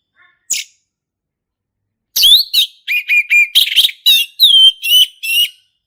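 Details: Forest-recorded male orange-headed thrush, singing: one short high note, then after a pause a long run of rapid varied whistles and scratchy chirps, loud and close.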